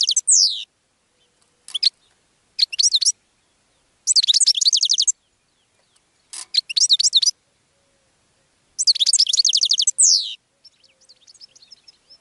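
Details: Series of goldfinch song phrases meant to attract other birds: short bright twitters alternate with two long rapid tinkling runs, one closing on a falling slur, followed by quieter, softer twittering.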